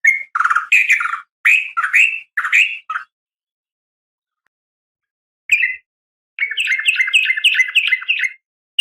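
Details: Female sooty-headed bulbul calling males in the morning: a string of bright, slurred two-part notes, a pause of about two seconds, then a long, fast, chattering rattle of clipped notes.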